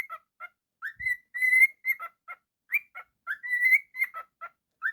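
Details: Pet cockatiel giving a busy run of short whistled and chirped notes, some rising, a few longer level whistles among them, at an uneven rhythm with a faint low knock early on.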